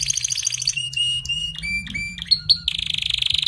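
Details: Canary song aimed at a weak singer: a pulsed trill, level whistles and rising slurs, closing with a fast rolling trill over a low steady hum.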